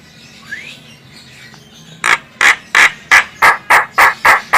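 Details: Javan myna, a female, calling as used for luring birds: after a faint rising whistle, nine loud, harsh, grating notes repeat steadily about three times per second.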